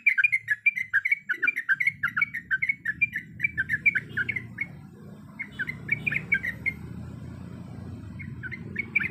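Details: Sooty-headed bulbul, female calling the male: quick run of chirpy whistled notes, pausing and resuming in shorter bursts, over a steady low rumbling background noise that grows through the recording.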